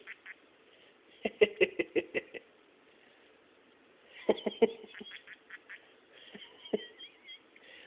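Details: A pet parrotlet imitates its owner's laugh with two bursts of six or seven quick, harsh "heh" notes, then gives thin chirps and squeaks.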